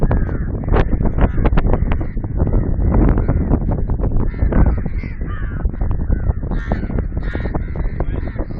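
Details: A group of crows near Sindhrot check dam caws continuously, flying, with harsh, overlapping caws piling up several per second over a low rumble of wind or background noise.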